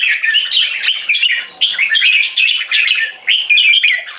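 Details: Red-whiskered bulbul (jambul) kept on a farm, singing 'one stroke' leading to 'keke': bursts of rapid, bubbling chirps in short phrases about half a second apart, clear and high-pitched.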